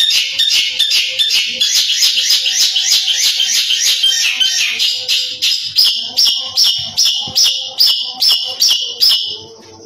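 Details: A young Long-tailed Shrike from Madura gives a dense, high, scratchy chatter that gives way to sharp repeated notes about twice a second, with faint background sounds.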